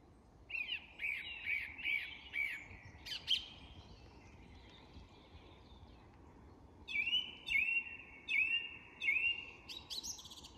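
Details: Song thrush at dusk in an English woodland, dusk chorus: a whistled note repeated four times, a short pause, then another ringing phrase repeated four times, with faint high notes between.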